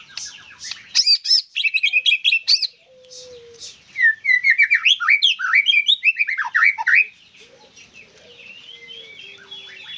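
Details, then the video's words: Vigorous white-rumped shama singing: quick staccato bursts, then a tumbling mix of whistles and chatters, fading into thin high notes, with a soft low whistle in the background. "Murai Gacor Full Durasi"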